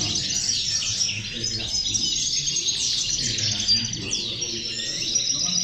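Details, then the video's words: Many European goldfinches in a lively chorus used as a motivator for goldfinches: high, tinkling twitters and quick rising and falling chirps pour out continuously, with a few clearer whistled notes standing out. "corona de caderneras, motivador de jilgueros"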